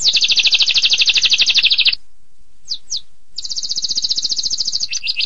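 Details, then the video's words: Canary singing in a long-duration 'tembakan pedas' style: fast, high buzzy trills of rapidly repeated notes, a brief pause with two quick rising chirps, then another rattling trill shifting to a slightly lower pitch. "Suara Kenari Tembakan Pedas Durasi Panjang"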